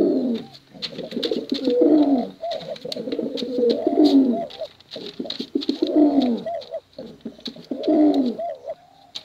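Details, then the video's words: Competition pigeons, male and female, kept for luring young birds. Low bubbling coos come roughly every two seconds, each rolling phrase ending in short rising notes, over faint clicks. "Suara Bekuran Burung Merpati Lomba Hutan Dara"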